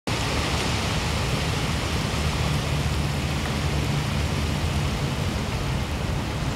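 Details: Constant broadband roar, heavy in the low rumble, like wind or traffic, with no animal sound heard.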